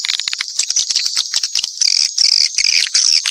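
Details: Mixed swiftlet calls: jittery high twittering with buzzy bursts and scattered clicks, growing louder and denser in the second half.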